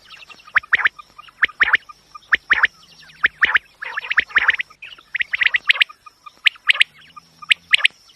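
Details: Quail sound played for hunting, steady pattern of sharp double and triple chirps roughly every second, some notes layered, with a faint constant high whine behind.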